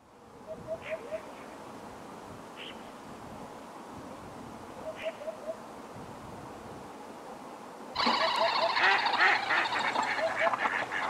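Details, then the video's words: Eurasian hoopoe in winter, Ria Formosa Natural Park, Portugal, 30–31 December 2011, repeating soft, low, hollow 'oop-oop-oop' phrases of three or four notes every few seconds, joined near the end by a loud burst of noisy chatter. "HUPPE Fasciée/Upupa epops/Chant"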